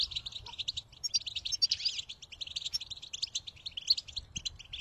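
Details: Motivational European goldfinch song: dense, rapid high twitters and liquid chirps run almost without pause, with a short buzzy rasp near the middle.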